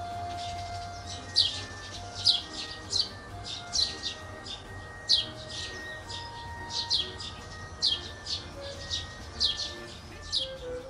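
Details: Birds chirping in the morning, background music kept low; sharp high chirps repeated roughly every half to one second, with faint sustained musical tones underneath.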